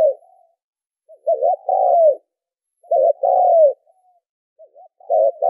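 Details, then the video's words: Spotted dove calls, offered as a lure for decoy training. Three deep coo phrases are heard, each a short clipped note followed by a long, steady, slightly descending coo. They are separated by nearly a second of silence. "tiếng chim cu gáy kích mồi tập bổi hiệu quả"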